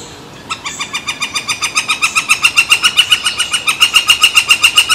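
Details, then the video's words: A woodpecker near San Francisco Bay on July 18, 2023, as a barge crosses, gives a long, steady series of loud, ringing notes, about four each second, building in strength and holding an even pace. "Woodpecker drumming and calling"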